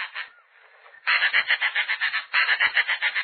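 Snail kite giving a dry, rasping chatter: two fast bursts of harsh, cackling notes, about seven a second, after a fainter, scratchy opening.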